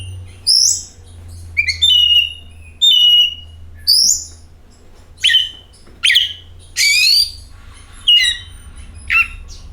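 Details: Oriental magpie-robin lure song for setting off other birds: separate clear whistled phrases, some slurred downward, others broken into quick chattering notes, roughly one phrase a second with brief pauses between.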